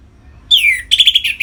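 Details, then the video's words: Orange-headed thrush in captivity singing 'ngeplong' style to stimulate breeding readiness in other birds: one long downward-sliding whistle followed at once by a quick buzzy trill of repeated notes. "Suara Ngeplong ANIS MERAH Gacor Memancing Burung Agar Birahi dan Lanjut ke Tahap Teler"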